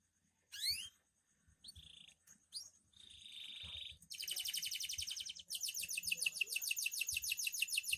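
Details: Loper canary singing at night: a few scattered rising notes and short buzzy rolls build into loud, rapid, high trills that run on to the end.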